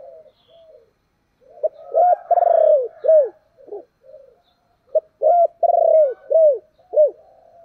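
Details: Spotted dove cooing in the thổ voice style, urging and calling. Two loud phrases: each a short note, a long drawn-out coo, then arched, falling coos. Softer murmured cooing fills the gaps.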